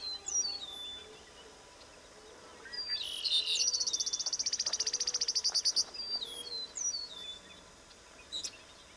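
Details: Eastern meadowlark with high, clear, slurred whistles that drop in pitch, heard near the start and again toward the end. A loud, fast, buzzy rattling trill runs through the middle, with faint outdoor background noise.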